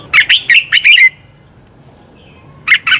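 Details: Red-whiskered bulbul song for provoking competitive singing: a rapid string of six bright, warbled notes, a second and a half of quiet, then two more loud notes.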